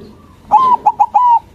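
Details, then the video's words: A white zebra dove sings with a big voice to provoke rival doves into answering: one phrase of a level coo, two or three quick clipped notes, and a long drawn-out final coo, over soft low background noise. "Perkutut Putih Gacor Suara BESAR bikin Cepat Emosi Lawan Auto Nyaut Seketika"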